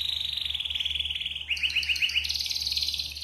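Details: Clean yellow canary singing a song used to prompt other birds to sing: a fast rolling trill slowly sinking in pitch, then a run of quick slurred notes and a high buzzy trill, over a steady low hum.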